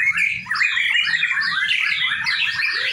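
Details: White-rumped shama, heard in a shared training session, pours out a fast unbroken run of bright whistled notes and short slurred chirps, rising and falling quickly, with a faint low background hum.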